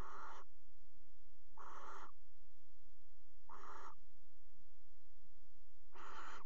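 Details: Four rough, hissing shrieks from barn owls mating at the edge of a nest box in a Netherlands water tower, February; each burst lasts about half a second, with irregular gaps of one to two seconds.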